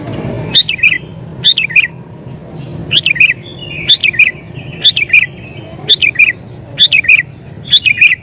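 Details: Emotional sooty-headed bulbul song used as a lure for wild bulbuls: paired chirps with a dropping tail, repeated about once a second, against low rumbling background noise.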